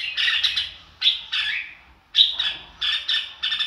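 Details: Red-whiskered bulbul song in the "ro kích bổi" style, separate bursts of bright whistled and chattering notes broken by a clear pause in the middle.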